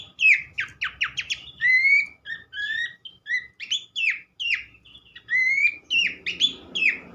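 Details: Energetic Horsfield's Babbler song of rapid downward trills interleaved with clear rising whistles, repeated in quick bursts, with some low rumbling noise near the end, in a recording used to make other babblers sing.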